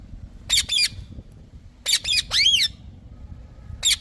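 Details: Green parrot screeching in short clusters: a pair of harsh shrieks, then a grating trio ending in a drawn-out, wavering screech, with a low background hum throughout.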